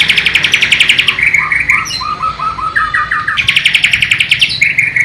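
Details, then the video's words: White-rumped shama of Borneo, East Kalimantan, imitating a flycatcher (sikatan londo): a fast ringing trill of high repeated notes, a stretch of lower whistled phrases, then the rapid trill returns. "MURAI BATU BORNEO ISIAN " SIKATAN LONDO / NIGHTINGALE ""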